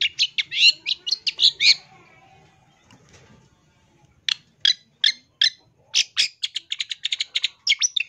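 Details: Long-tailed shrike training song, loud and vigorous: dense bursts of harsh, buzzy chattering notes, a quiet gap of about two seconds, then rapid clipped scratchy notes in quick succession.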